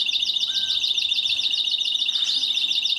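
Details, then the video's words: Mosaic canary sustaining one long, even rolling trill of rapidly repeated high notes, steady and unbroken throughout, with faint background hum. "تغريد الكناري موزايك مالتي"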